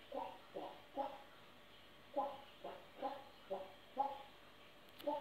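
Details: African grey parrot singing and dancing: voice-like syllables delivered in a steady beat, around ten short rhythmic bursts in five seconds, each falling slightly, with a quiet background.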